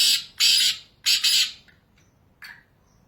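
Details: Wild black francolin in its natural habitat in Pakistan: three loud, harsh, grating bursts in quick succession, the last two close together, then a fainter rasping note after a short pause.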